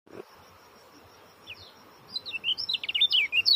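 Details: Oriental white-eye (kecial kuning) in a tight, fast song; after a quiet start with a few isolated high notes, rapid twittering phrases of sharp, rising and falling high chirps fill the final second and a half.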